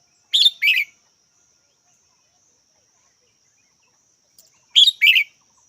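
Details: Red-whiskered bulbul with two-note chirping calls, a sharp high note dropping to a lower buzzy one, repeated after a pause of roughly four seconds, with a faint steady hiss behind.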